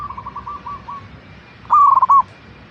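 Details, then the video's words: Zebra dove (perkutut lokal), offered as a singing lure for caged birds: one clear burst of rapid, slightly descending coo notes, preceded by a fainter dove's phrase. "Pancingan Burung Perkutut Agar Cepat Bunyi - Zebra Dove"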